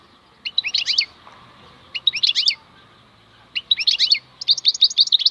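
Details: Wild European goldfinch (maknine khalwi) singing: three short bursts of bright, rapid twittering notes, each about a second long and separated by brief pauses, the last burst longest, over a faint low background hum.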